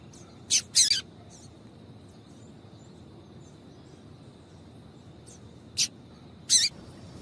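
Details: Female double-collared seedeater calling to excite a male: a quick pair of high, sharp chips near the start, a long pause, then two more clipped notes near the end over a steady faint hiss.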